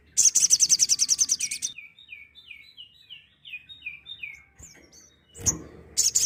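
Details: Sooty-headed bulbul burst song ('tembakan'), a tutor recording for songbirds: a long fast rattle of high buzzy pulses for nearly two seconds, a string of about ten quick downslurred whistles, then another rattle starting with knocking sounds.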